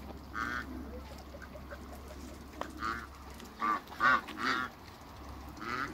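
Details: African geese, three together on a farm, giving scattered nasal honks, then a cluster of three loud honks close together in the second half and a last honk at the end, with low background hum.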